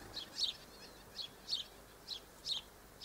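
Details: On 1 December 2013, Double-barred finches utter bright, high, nasal chirps, about two per second, some in quick doublets, against steady faint hiss.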